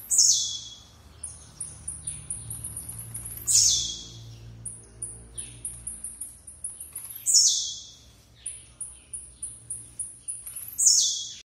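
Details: Blue-black grassquit (Volatinia jacarina) gives a short, buzzy, explosive downslurred song about every three and a half seconds, with a thin run of very high ticking notes in the gaps.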